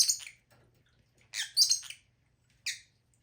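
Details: Lovebird producing a few loud, hissy, high squawks separated by short silences.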